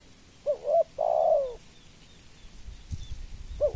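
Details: Spotted dove giving a cooing phrase: a short wavering double coo, then a longer drawn-out falling coo, with another short coo starting at the end; quiet low rumble in the background.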